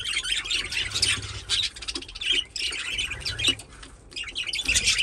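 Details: Pet budgerigars playing in their aviary, around a nesting box, keep up a busy stream of high, scratchy chirps, squawks and warbles from several birds at once.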